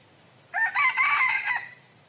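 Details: Red junglefowl rooster crowing: a single hoarse, strained crow of about one second, broken into several segments that rise and then hold steady, with a steady high whine in the background.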